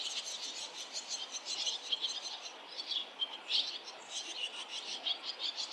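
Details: Around fledging time, barn swallow parents and other fledglings crowd near a nest on a busy swallow street. Rapid, insistent high twitters and squeaky chirps overlap in a lively chatter throughout.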